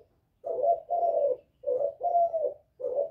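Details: Spotted dove giving a provoking call at rival wild males, 'Thổ' voice style: low, mellow coos in pairs, a short note followed by a drawn-out slightly falling one, two and a half pairs in quick succession.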